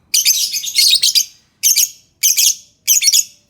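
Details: Lovebird singing to encourage silent lovebirds: a loud, harsh, buzzy chattering phrase of over a second, followed by three shorter scratchy bursts spaced roughly every half second.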